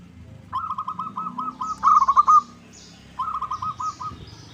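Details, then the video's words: Local zebra dove lure call used to make other doves sing and answer: two phrases of soft, rapid, stuttering cooing notes at a steady mid pitch, the middle phrase louder and more ringing, with faint background hiss. "Pancingan PERKUTUT LOKAL Agar Bunyi 100% Ampuh! bikin lawan nyaut."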